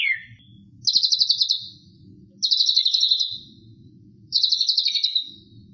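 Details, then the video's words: White-rumped shama in full 'isian' song repeats a high buzzy pulsed trill three times, each about a second long and spaced nearly two seconds apart, after a short opening whistle, with low rumbling noise between phrases. "Full Isian Murai Batu"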